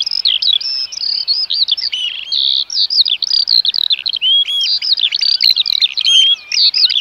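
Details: Eurasian oystercatchers keep up an excited piping for several seconds. Strident, high, clipped notes come in irregular clusters with short breaks, and several voices overlap.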